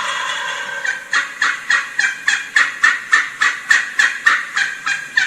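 Wild Turkey gobbling: a rapid, rattling series of throaty notes, about three per second, rolling on for several seconds with nothing else prominent.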